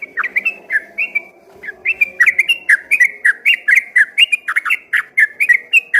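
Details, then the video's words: Prolific 'ropel' singing by a yellow-vented bulbul that sounded like a straw-headed bulbul from far away; loud, gurgling phrases of down-slurred whistles, rolling on quickly after a short break. "dari kejauhan di sangka suara burung CUCAK ROWO setelah dihampiri ternyata cuma TRUCUKAN ROPEL GACOR"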